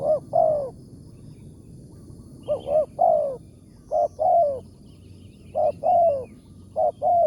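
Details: Spotted dove with a big 'tarik akar' voice, a wild bird lured by a decoy during a morning trapping trip. Rhythmic cooing, short clipped notes leading into longer falling coos, phrases repeating steadily, with faint chirps behind.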